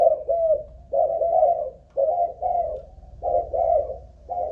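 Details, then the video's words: Malaysian-type spotted dove kept as a ground decoy bird, cooing in an endurance trial; soft paired hoots, each pair about a second apart, slightly falling in pitch, low rumble underneath. "Cu Gáy Mồi Đất || Test nước bền chim cũng thấy khá ổn"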